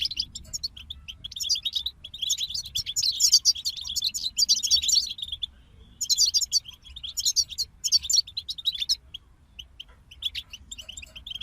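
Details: A goldfinch group in full song: long, almost continuous tinkling twitter of high chirps and trills, thinning near the end into scattered single notes.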